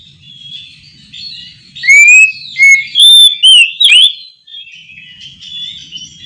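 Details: Oriental magpie-robin song recorded at night, with a row of loud, clear whistled notes in the middle, some rising and some sliding down, set against a quiet low hum and fainter twittering before and after.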